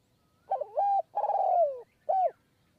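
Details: Perched spotted dove calling in high forest of Kanchanaburi, Thailand, at a decoy-luring session. It gives one full coo phrase: a bubbling opening note, a long sustained coo falling at the tail, and a brief clipped final coo.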